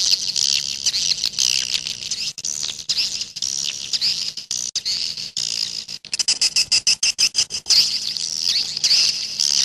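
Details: Many swiftlets calling in a 'jaguar' style sound: loud, continuous high-pitched twittering with a stretch of quick choppy chirp bursts in the middle before the steady chatter returns.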